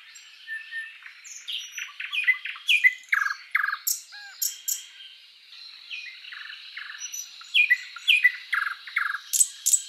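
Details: Thrush Nightingale singing a varied phrase of sharp chirps, rapid clicks and rising notes, broken into short bursts about every second, with loud high flourishes near the end.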